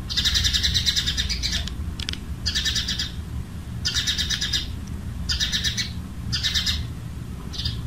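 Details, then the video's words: House sparrow in Jeddah, Saudi Arabia, where it lives year-round, recorded in 1444 AH. Its harsh, rattling chatters come in bursts of about a second, repeated every second or so over a low rumble, and their fast tone suggests a warning at a nearby cat. "صوت عصفور دوري المنازل"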